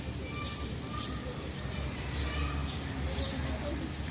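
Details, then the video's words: Birds singing in Parque de la Florida in Vitoria-Gasteiz: thin high chirps about every half second at first, then sparser, mixed with a few soft mid-pitched whistles and a strong low hum underneath. "pájaros cantando"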